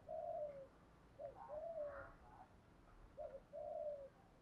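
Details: Spotted doves, male and female, calling to stimulate other doves: low hoarse coos in a short phrase, quieter and more distant, with a faint background hiss.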